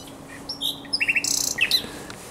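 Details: Night song from a common nightingale on the Żerań Canal, 23–24 April 2022: varied high whistles and chirps leading into a fast, dense stutter of buzzy repeated notes.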